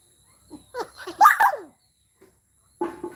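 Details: Common myna mimicking human speech in the Bodo language: a run of speech-like syllables lasting about a second, then a pause and one short further utterance, in otherwise quiet surroundings.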